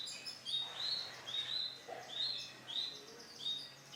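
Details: Male canary, bright lemon in colour, sings ringing upslurred whistles about every half second, with quieter high chips between.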